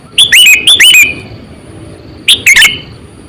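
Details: Sooty-headed bulbul, an 8–9-year-old decoy bird used to lure others, giving loud, chattering phrases of bubbly, down-slurred notes in two bursts, with a pause of over a second between them and a faint steady hiss behind.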